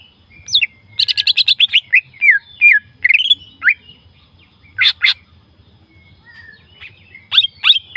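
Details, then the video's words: Leafbird singing in the wild: sharp slurred whistles, some rising and some falling, with a burst of rapid buzzy chattering notes near the start. Isolated piercing strokes follow after a pause. A faint low rumble sits underneath. "burung Cica ijo"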